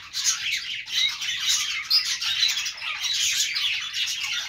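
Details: Budgerigars chirping: a dense, continuous chatter of many overlapping high warbles, squeaks and twitters with no pauses, suggesting several birds calling together.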